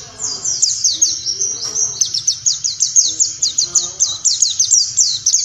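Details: Warbling white-eye in 'nembak' tutor song, suited to dawn playback: a relentless run of high, fast down-slurred chips, about four per second, evenly pulsing throughout.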